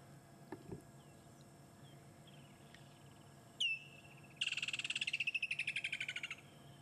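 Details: Woodland kingfisher perched near a waterhole on safari at sunset, 3 December: one sharp high note, then a fast, ringing trill of about twenty notes sliding steadily downward over two seconds. Quiet background hum.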